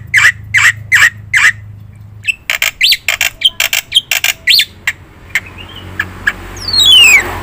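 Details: Black-winged myna song used as a lure and training master: four loud harsh squawks, then a quick jumble of scratchy notes and short whistles, ending in a long descending whistle over a low hum.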